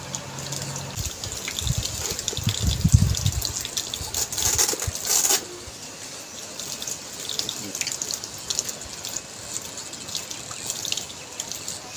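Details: Rushing, gushing water, as from a tap or filling basin, is loudest during the first five seconds with a brief surge around the fourth second, then a steadier lower wash; no animal calls.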